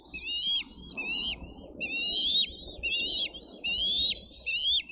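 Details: Bald eagle eaglets fighting over fish at a Dade County nest, 22 May 2023; chain of high whistled squeals with abrupt downward ends, some overlapping, over continuous low rumble.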